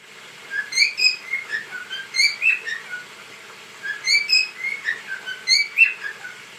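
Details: Pet cockatiel calling while dancing: bright whistled notes in a repeated phrase of rising and falling chirps, given in two bursts separated by a short pause.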